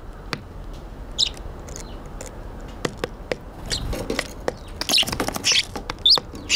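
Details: Fluffed-up Eurasian tree sparrows on a balcony in Japan, 18 December 2022, give short, high chirps in scattered bursts, mixed with many sharp tapping clicks and a low background hum.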